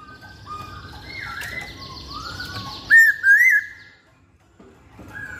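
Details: Masked laughingthrush in energetic song: soft rising and falling whistled slurs, then two loud, wavering whistled bursts close together, ending in near silence with a faint note.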